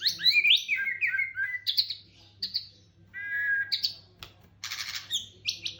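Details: White-rumped shama song meant to make caged birds answer: rising and falling whistles, then descending slurred notes and short buzzy bursts. A faint low hum is in the background.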